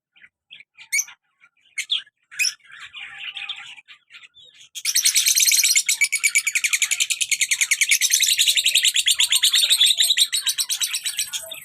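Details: Caged pair of lovebirds, colour male with black mask female, very active: a few scattered sharp chirps, then a loud, fast, steady run of repeated high tweets lasting about seven seconds.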